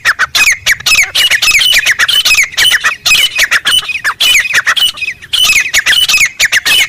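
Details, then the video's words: Grey francolin calling loudly in the wild: a continuous barrage of harsh, rapid notes, grouped in quick bursts with short pauses, filling the whole recording. "Teetar Ki Zabardast Awaaz | Jungle Mein Original Voice"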